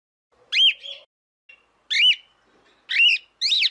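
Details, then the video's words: Cockatiel (calopsita) vocalizing: four short, harsh, rising-and-falling chirped whistles with buzzy harmonics, spaced about a second apart with brief quiet gaps between them. "Cantos De "Calopsita" MAIS BONITOS e MELHORES - Cockatiel Singing"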